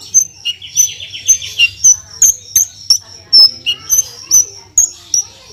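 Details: Horsfield's bush lark, known locally as branjangan, delivering 'tembakan' song for a masteran recording: a short buzzy trill, then thin piercing whistled notes repeated at irregular intervals with clicks between them.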